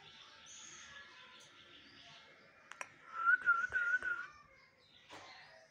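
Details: Common myna, a talking pet bird filmed around bath time in Bangladesh; a soft whistled warble, then a louder run of quick wavering whistled notes, with clicks and faint room noise.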